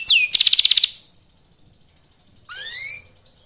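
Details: Young local canary singing fast as a lure to provoke rival canaries into song: a high down-slurred whistle, a quick buzzy trill of about ten notes, a pause, then a rising whistled note with overtones.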